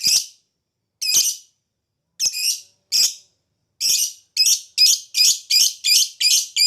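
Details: Lovebird giving its ngekek and ngetik panjang singing, used as a lure to provoke other birds to answer: harsh, buzzy chattering bursts, sparse at first, then quickening into a rapid string of about ten scratchy notes.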